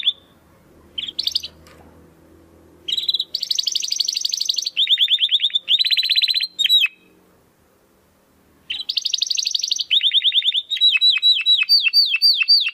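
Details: Domestic canary with a 'crystal' voice, recorded as master song for contest birds: short bright bursts and long dense high trills separated by pauses with faint low background noise, closing with falling whistled sweeps.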